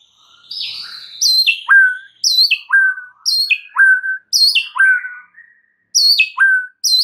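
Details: White-rumped shama song used as a lure to provoke other birds: loud whistled phrases repeating about every half second, each a high downslurred note dropping into a lower steady whistle, with brief silent gaps.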